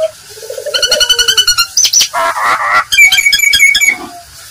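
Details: Nias hill myna giving a provocation call meant to make any other Nias myna answer and get agitated; loud varied run of a low warble, quick ringing harmonic notes, a sharp whistle, a buzzy rasp, then rapid high chattering notes.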